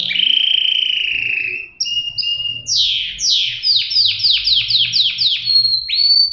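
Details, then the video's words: Canary song: a sustained whistle, two short high notes, then a rhythmic run of about ten descending sweeps that ends in a rising whistle. "صدای قناری"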